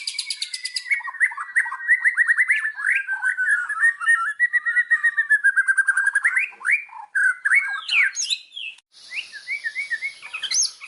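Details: Indonesian white-rumped shama pours out a lure song. Rapid, rhythmic whistled notes at a steady pitch turn into varied swooping flutey phrases, ending in rising whistles and a scratchy burst.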